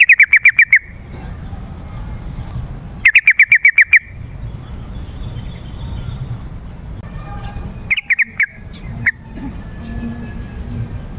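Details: Yellow-vented bulbul, used to call wild birds and train kept ones: two fast chattering bursts of short, evenly spaced notes roughly three seconds apart, followed later by a looser scatter of a few single notes, with faint low background noise.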